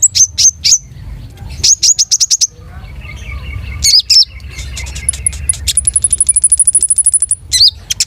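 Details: Long-tailed shrike in full, varied song: quick runs of sharp high chirps, a steady mid-pitched trill near the middle, then a long rapid series of thin, very high notes ending in short downslurred whistles.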